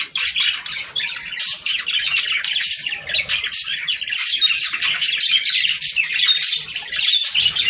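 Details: Budgerigar song used to stimulate mating: bursts of bright chirps and twittering warble from several birds, rising and falling in rapid clusters.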